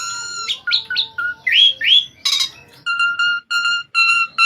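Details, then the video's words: Asian pied starling in energetic masteran-style gacor song: rich harmonic whistles rising and looping, a harsh noisy burst, then a row of evenly spaced clipped whistled notes. "Kicauan burung jalak suren gacor"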